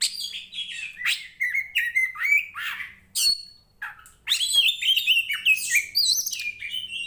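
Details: An Oriental magpie-robin of the poci Tretes kind, a fighter bird singing vigorously, pours out rapid, varied whistles, buzzy trills and chattering notes. After a short pause near the middle, the song resumes even denser.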